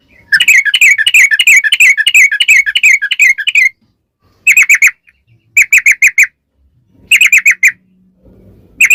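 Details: Yellow-vented bulbul song used as a lure to make bulbuls answer. A long rapid string of bright chirps, then several short bursts of three to five quick notes between pauses.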